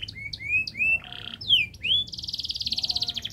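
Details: Canary song, long and fast, used as a model so young canaries start singing sooner: several clear rising whistled slurs, a few sharp sweeps, then a rapid dense rolling trill to the end.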